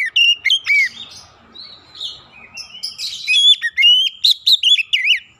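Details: Oriental magpie-robin giving a clear lure song to get other birds singing: loud downslurred whistles, a softer warbled middle, then a fast run of sharp, piercing notes and trills.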